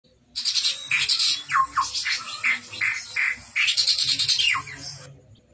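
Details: Chestnut-rumped babbler singing vigorously: a dense, harsh, chattering stream of rapid notes with several sharp downslurred whistles, in two bursts separated by a brief pause.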